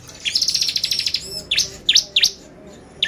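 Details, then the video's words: Bar-winged prinia, lure song for exciting birds: a fast high rattling trill lasting about a second, followed by four sharp, steeply rising notes spaced apart. "PANCINGAN CIBLEK GACOR bikin burung ciblek EMOSI !!"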